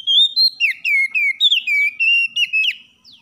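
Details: Champion oriental magpie-robin song, a morning training recording meant to rouse lazy caged birds: a rapid run of about ten sustained pure whistles, some rising then sliding down, nearly four per second, ending with a faint downward sweep; clean background.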